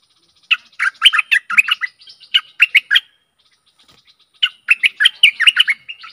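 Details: Stripe-throated bulbul song used as a decoy to lure aggressive wild birds: bursts of rich, bubbling chattering notes delivered in quick phrases, a pause near the middle, then another fast jumbled phrase.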